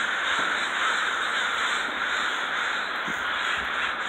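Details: Large flock of crows in Renton, Washington: a continuous dense wash of overlapping harsh caws, with no gaps or clear single call standing out.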